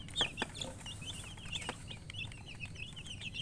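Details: Several chicks peeping: a few loud piercing cheeps near the start, then a run of rapid, slightly descending chirps over low rumbling noise.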